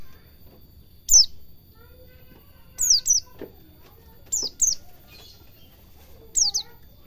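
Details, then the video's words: White-eye training recording for cage birds, in the ngalas cingjuitan style: high, sharply descending whistled notes given singly or in quick pairs every one to two seconds, with faint low rustling between. "Suara burung pleci belajar ngalas cingjuitan"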